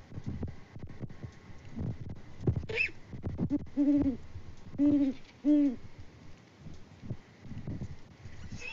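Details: Great Horned Owl pair at a Peabody, Kansas farm, filmed by live cam in February, exchanging hoots after a rodent delivery. Background rustling, then three low, resonant hoots roughly a second apart midway through.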